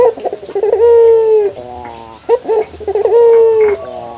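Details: Male local puter dove calling to challenge a rival. A flurry of quick, jerky notes precedes each drawn-out, soft, droning coo, with a lower trailing note after it, heard twice.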